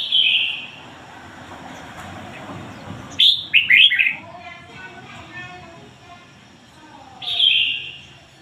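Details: Decoy red-whiskered bulbul with a standard ngoi bổi song voice. Slurred whistles open and close the recording, with a lively chirped phrase in the middle, set against a steady background hiss.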